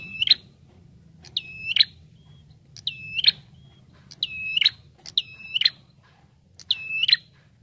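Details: Bar-winged prinia calling in a recording for luring birds: six high, even whistled notes, each ending in a sharp buzzy flourish, repeated at slightly uneven intervals of about one second over a low rumble.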